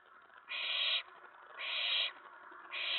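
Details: Owlet inside a nest box at night, May 19 2017, excited as an owl arrives at the tray after a mouse delivery; three harsh, hissing bursts, each about half a second, roughly a second apart.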